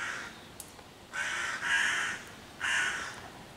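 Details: Three rough, drawn-out caws from a hooded crow loudly harassing five young raccoons on a tree beside their hollow, 11 June 2023, the middle call longest and double-pulsed.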